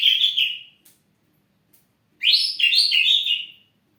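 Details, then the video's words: Caged ashy drongo kept to stir other birds into singing: a short burst of whistled notes, a pause, then a longer loud phrase of slurred, rising and falling whistles. "srigunting abu gacor siang malam cocok untuk pancingan burung lain"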